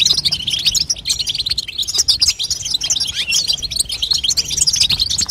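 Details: Female European goldfinch calling to train a young goldfinch to sing, giving a dense run of sharp, high chirps and buzzy twitter notes.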